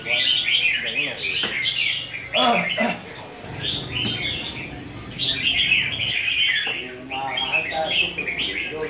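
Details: Red-whiskered bulbul in a singing competition, loud clear bursts of bubbling, whistled phrases in groups of several notes with short pauses, a few sharp knocks and faint low hum.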